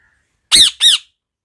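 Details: Parrot uttering two loud, raspy squawks close together, each arching up and down, with otherwise near silence.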